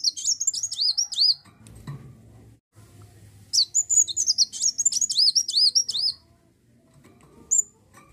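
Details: Olive-backed sunbird song meant to draw other birds into singing: quick high twittering phrases of rising and dipping notes, two long bursts with a short pause between and a brief final chirp.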